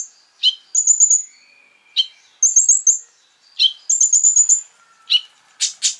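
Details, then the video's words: Sunbird (konin) song played to provoke other sunbirds: high rattling trills alternating with sharp forked chirps and a thin drawn-out whistle, phrases every second or two. "PANCINGAN KONIN GACOR FULL BUKA PARUH BIKIN KONIN EMOSI KOLIBRI LAIN !!"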